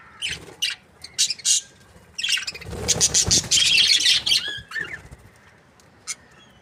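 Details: A few sharp, isolated chirps, then about two seconds of loud, rapid budgerigar warbling from a happy breeding pair, fading back to single squeaks.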